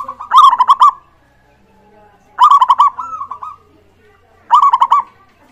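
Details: Lure song of a local zebra dove, meant to get other birds singing; three loud, crisp phrases of rapid, staccato coos, each about half a second long and roughly two seconds apart, in a quiet setting.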